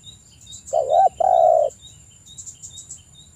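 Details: Spotted dove lure phrase for prompting quiet doves to call: a wavering coo and a flat, sustained hoarse croon lasting about half a second; soft high chirps and a constant electronic whine around it.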